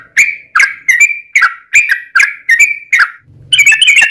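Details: Yellow-vented bulbul used to provoke other bulbuls to sing: loud bubbly phrases repeated about every half second, each a quick warbled burst, followed by a denser jumble of notes at the end.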